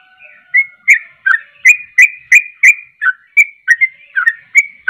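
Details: Sooty-headed bulbul singing vigorously to provoke other bulbuls: about a dozen crisp, short whistled notes in five seconds, rapid and fairly regular, after a soft low whistle at the start.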